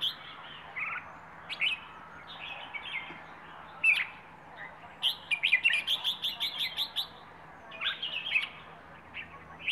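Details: Plai ho style song from a wild bird of Rayong, Thailand: scattered chirps and warbled phrases, then a lively burst of rapid, evenly repeated bright notes midway, then further twittering phrases.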